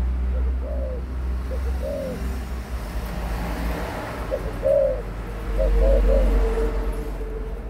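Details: Adult spotted dove of 18 months giving low, mellow coos in short groups over a steady rumble of passing traffic.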